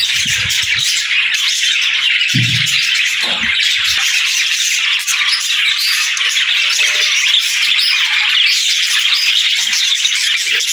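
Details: Morning chorus of happy budgerigars greeting the day: steady, dense twittering and chirping from many birds at once, with a few dull low knocks near the start.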